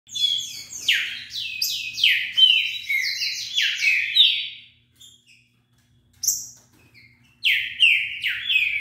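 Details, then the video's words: Wild green-winged saltator singing fast, described as reaching about 40 songs a minute: loud clear whistled phrases sliding downward, delivered in quick succession, then a pause of near silence before further bursts of whistled notes resume. "Trinca ferro Selvagem passando 40 canto por minuto."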